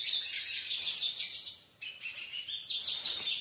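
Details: European goldfinch squabbling with a nail in a wall gives fast, high, jangling twitters and rasping chatter, about three notes a second, dipping briefly quieter partway through, then resuming just as busily.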